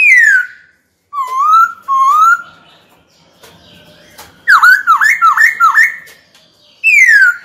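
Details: White-cheeked laughingthrush kept as a cage bird, singing to call a rival to fight: a falling whistle, two short rising whistles, then a rapid series of dipping, looping notes and another descending slur.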